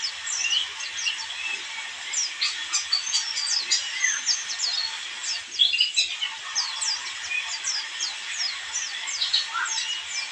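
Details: Recording of white-eye chirping meant for luring birds, with busy overlapping high twitters and sharp downslurred ticks pouring out steadily over a faint background hiss.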